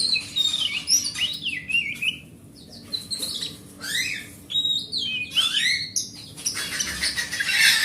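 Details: Oriental magpie-robin, a large-bodied forest bird, singing to lure silent magpie-robins into song: varied loud whistled phrases, swooping and slurred notes with harsh chattering bursts, steady low hum beneath.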